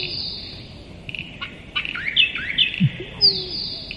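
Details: Musk duck making a single low plonk, then a sharp descending whistle, amid chirping calls from other birds and a constant pulsed insect buzz.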